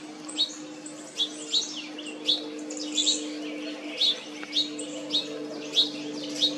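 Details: Painted Bunting on Jekyll Island, Georgia, USA, in summer (June 2022) giving a string of short, high chips, roughly two each second, over a steady low mechanical hum.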